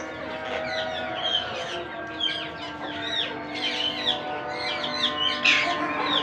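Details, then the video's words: Monk parakeet babies being fed: rapid, repeated short rasping chirps and squeals, growing louder toward the end, over steady background tones. "Monk Quaker parrots babies growth feeding"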